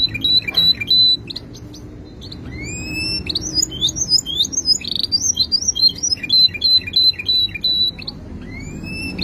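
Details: Song of a canary of the type called kenari bule: a varied, lively run of high whistled notes, rising slurs and quick trills, delivered almost continuously with short breaks, with faint low background hum.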